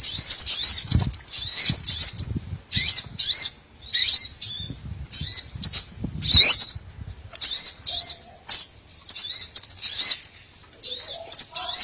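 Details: Small birds calling in a long run of high, looping whistled chirps with short gaps and occasional faint lower notes; meant to attract small birds for trapping.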